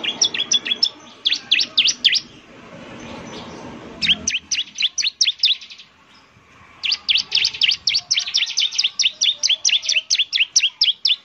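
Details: Bar-winged prinia, a semi-active singer used as a lure, giving bursts of quick, high chirping notes broken by a noisy gap, then a long sustained run of rhythmic chirps.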